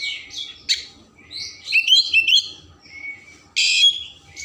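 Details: Oriental magpie-robin song used to stimulate emotion and tail spreading, with sharp clicks, warbled whistles and buzzy bursts in quick succession, including a harsh loud rasp near the end, over faint background hum.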